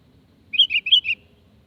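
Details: One clear phrase from a sooty-headed bulbul, used as a lure call to get other birds to respond: five quick, rounded, warbling notes rising and dipping in two small groups, with a quiet low hum beneath.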